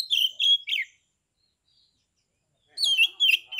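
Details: Caged Oriental magpie-robin from Kebumen, Central Java, in ngeplong song meant to provoke other magpie-robins into singing and fighting. Three rich whistled notes with a harsher buzzy trill, almost two seconds of silence, then another burst of warbling whistles.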